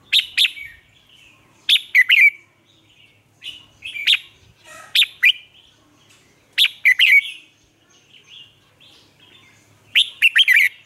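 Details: Caged red-whiskered bulbul lure singing to prompt newly caught birds, Vietnam: dense run of lively whistled phrases, each a quick cluster of sharp, bright notes with trailing warbles, coming roughly every one and a half seconds.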